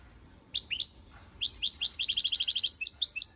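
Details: Goldfinch song: high, rapid twittering with liquid chirps and buzzy trills, opening with a few sliding notes, then a fast run of repeated bright notes, about three per second, in a quiet background.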